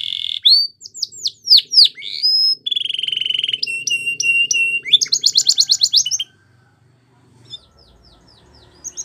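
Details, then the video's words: Belgian canary singing a training song: sweeping whistled notes, a steady high tone, clipped repeated notes and a fast trill, then a near-silent pause with a brief faint note at the end. "Canary's Most Powerful Song For Training | Belgian Canary"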